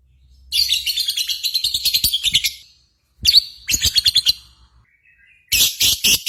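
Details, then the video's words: Lovebird lure sound for stimulating contest singing: dense buzzy chattering trills of rapid high pulses in three bursts separated by short gaps, the last starting loud and harsh. "PANCINGAN Burung Lovebird"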